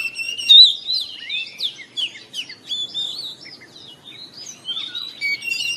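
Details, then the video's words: Oriental magpie-robin in the morning, played to prompt caged birds to sing: a loud opening whistle, then varied chattering and sliding notes at a steady, moderate level. "TERAPI KACER BIKIN RAMAI OCEHAN DI PAGI HARI"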